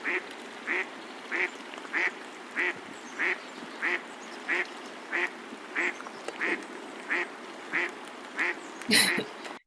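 An American black duck gives a steady run of plain, nasal quacks, about one every 0.6 seconds, over a faint background hiss.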